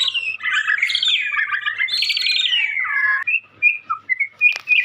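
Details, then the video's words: Young white-rumped shama, kept as a songbird, pouring out a rich warbling song of tangled whistles and chatters, then shorter separate whistled notes with a sharp click near the end. "Burung Murai muda gacor calon juara"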